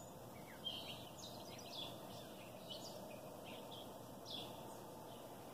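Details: Wild birds singing in the morning outdoors; thin high chirps and short twittering phrases come every second or so over a steady background hiss, with one sharper note near the start.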